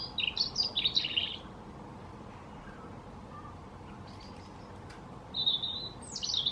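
European robin singing short phrases of high, thin, tinkling warbles and trills, with a pause between bursts over a soft background hiss.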